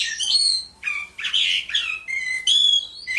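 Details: Song of a Mongolian lark, a bird ranked among the four famous songbirds, made of changing whistled phrases: high sliding notes, a buzzy rough burst, then level clear tones that end with a thin high whistle.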